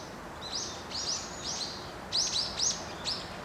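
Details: Brambling giving a series of short high slurred notes, about two per second, coming in loose groups of two or three with a brief pause, over soft steady background noise.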